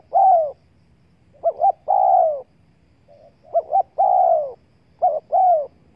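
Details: Spotted dove lure calling aimed at wild doves: a long falling coo, then phrases of two clipped notes and an extended husky coo, about two seconds apart, with low background murmur.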